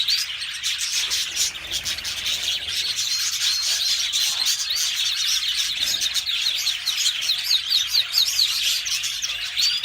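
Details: Yellow canary in sustained song: dense, unbroken high twittering with rapid trills, ending in a run of quick repeated rising-falling notes.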